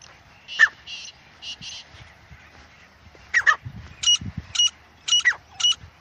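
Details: Wild francolin recorded in a jungle, giving spaced harsh buzzy notes that become a series of sharp squawks with clear whistled tones, about two per second, with faint low murmuring sounds in the background.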